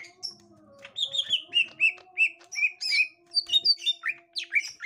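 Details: Captive green leafbird meeting a young wild green leafbird: a steady series of short downslurred whistled chirps about four per second, ending in busier squeaky notes, with a faint low tone running under it.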